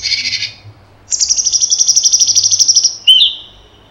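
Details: Cucak cungkok giving a 'tembakan' burst: a brief rich note, then a sustained rapid pulsed trill of about two seconds at high pitch, ending in a sudden loud lower slurred note, with a faint low hum behind.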